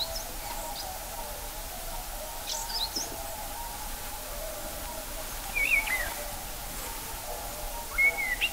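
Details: Common blackbird (Turdus merula) singing at Kloostri, Läänemaa, Estonia, in early March 2020: two short, clear whistled phrases, one rising and one dipping, with faint high twitters between, over a steady low hum.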